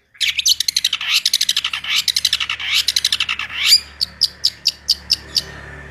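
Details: Long-tailed shrike in energetic rolling, rapid-fire song: a dense jumble of quick varied chirps and trills, then a rising sweep and a run of evenly spaced sharp high notes.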